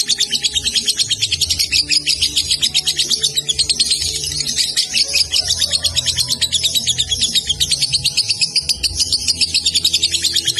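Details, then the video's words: Young caged lovebird from Salatiga singing in the long konslet style: a loud, unbroken, rapid chattering of high scratchy notes pulsing several times a second for over ten seconds, with faint low background noise. "Masih paud nadanya udah enak durasi lagi"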